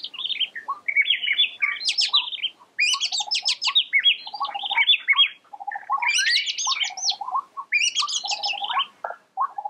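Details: Oriental magpie-robin singing a long, varied song of rich whistles, rapid trills and chattering notes, phrases rising and falling, delivered in bursts with brief pauses, no other clear sounds.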